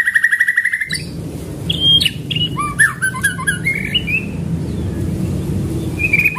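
A White-rumped shama opens with a fast, rattling burst of repeated notes, then shifts to varied clear whistles, chips and rising phrases over a steady low hum.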